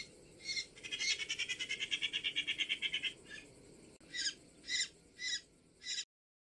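A Great Spotted Cuckoo gives a fast, harsh rattling chatter of about two seconds, then four short grating notes spaced roughly half a second apart.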